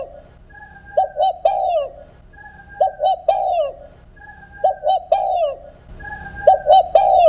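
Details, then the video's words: Spotted dove of the fields repeating its coo without the closing note, used as a lure for trapping: four even phrases of three hollow coos, about every two seconds, each preceded by a thin, level high whistle. "tiếng cu gáy đồng không hậu"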